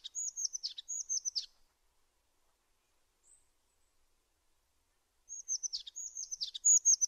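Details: Two high whistled phrases with downward flicks from a tit, then a silent gap of several seconds, followed by another run of the same thin, rapid notes.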